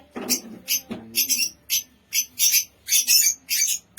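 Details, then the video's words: Lutino opaline lovebirds in a cage giving harsh, high screeches in short bursts, repeated roughly twice per second with brief gaps between. "Love birds sounds|Love bird pakhi|love birds voice|Lutino opaline lovebirds"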